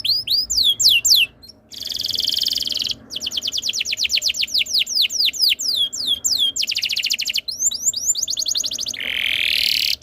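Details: Canary song used as a tutor recording to get other canaries singing: fast trills of repeated notes, downward-sweeping whistled notes in series, and rasping buzzy rolls, changing phrase every second or two.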